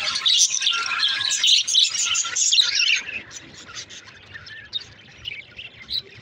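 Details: Budgerigars chattering to one another, a busy high twittering warble for the first three seconds that then thins into scattered softer chirps and squeaks.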